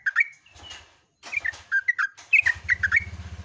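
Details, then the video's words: At dawn, a yellow-vented bulbul delivers long, rapid 'gacor ropel' singing: bursts of bright, gurgling warbled notes after a short pause, over a steady low hum in the background. "TRUCUKAN GACOR ROPEL"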